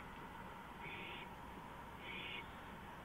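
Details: A porch-visiting owl recorded at 2:05 AM on April 5, 2015. Two soft, breathy hissing bursts about a second apart are heard against a fairly loud background of steady noise.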